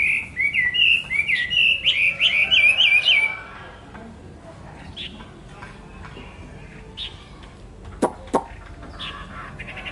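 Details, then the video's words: Nightingale singing: about three seconds of loud, rapid, varied warbled and whistled notes with fast up-and-down slurs, followed by quieter scattered chirps and a few sharp clicks from other birds. "tiếng hót hay nhất của chim họa mi phần 2 | The beautiful song of the nightingale part 2"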